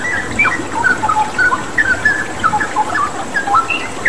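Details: Straw-headed bulbul singing energetically against a water-therapy background: a rapid string of bright whistled notes, short rising and falling slurs close together, with running-water noise throughout.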